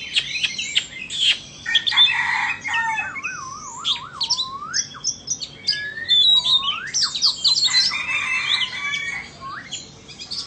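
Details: Singing contest between a Vietnamese and an Indonesian Oriental magpie-robin: high sweet whistles, wavering warbled notes, rising slurs and scratchy chatter, the two songs overlapping.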